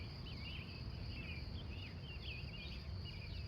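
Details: Wild birds singing at dawn near Glendive, Montana, USA, recorded live on location from 3:45 a.m.; several thin, twisting chirps and warbles overlap continuously above a steady low rumble.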